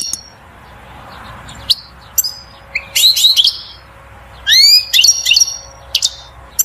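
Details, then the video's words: European goldfinch singing to stimulate a female to mate and build a nest; bursts of bright, high twittering with rising slurred notes and buzzy trills, separated by quiet gaps and isolated clicks, over a faint steady hum. "بتبتة الحسون أقوى تغريد لتحفيز و تهييج الأنثى على التزاوج وبناء العش"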